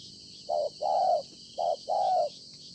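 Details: Spotted dove caught from the wild, cooing in two pairs, each a short hollow note followed by a longer drawn-out one, low-pitched and even, with a thin constant hiss behind.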